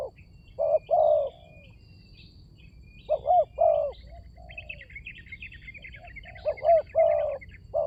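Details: Lure recording of a spotted dove: clusters of deep, hollow coos separated by silent gaps, while a busy run of thin, high twittering from other birds fills the middle of the recording.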